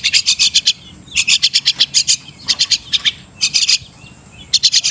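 Crested myna giving quick bursts of harsh, scratchy chattering notes, five or six at a time, repeated roughly every second with short pauses between.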